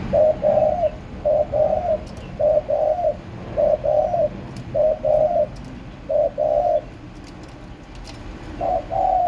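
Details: Spotted dove cooing, recorded 30 March 2024: low, soft two-part coos delivered in short phrases with brief pauses between them, against faint clicks and quiet outdoor background noise.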